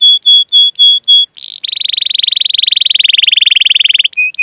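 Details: Canary song used as a training lure for young, untrained or silent canaries: five clear high whistled notes, then a long, fast, buzzy rolled trill lasting over two seconds, ending in short whistles.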